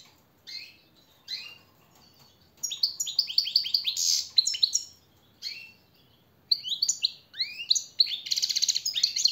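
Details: European goldfinch training song for caged birds, short opening chirps then long runs of fast liquid twitters, buzzy rattles and downslurred notes, broken by brief silences.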